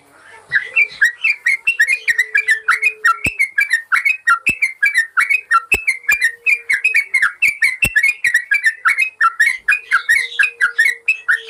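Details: Yellow-vented bulbul song used as a training master for birds that have stopped singing: a steady stream of rapid, bubbly whistled notes, each dipping and rising, repeated about once a second with hardly a pause.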